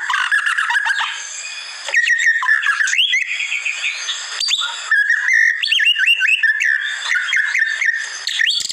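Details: White-rumped shama song used as a masteran training recording: a dense, continuous run of varied whistles, slurred rising and falling phrases, and sharp chips, loud throughout with a steady high hiss behind it.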